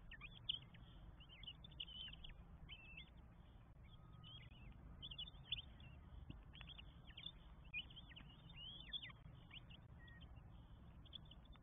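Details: Northern goshawk nest in Estonia on 24 May 2022, four young being fed; a steady chorus of sharp, high whining squeals in quick overlapping series with low hum beneath.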